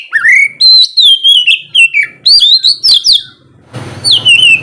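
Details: Oriental magpie-robin morning song to coax lazy birds into singing: rapid, loud, whistled phrases sweeping up and down, ending with a burst over a brief low humming noise.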